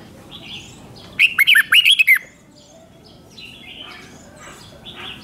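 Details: Thai red-whiskered bulbul delivering one fast phrase of about seven bouncy, whistled notes in the doubled five-syllable style, while faint chirps from other birds sound before and after.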